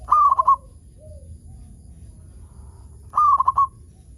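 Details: Local zebra dove in full song, used as a lure to prompt other zebra doves to sing: two short cooing phrases of quick stuttering notes, about three seconds apart, with a soft low whistle between them and a faint steady high hum.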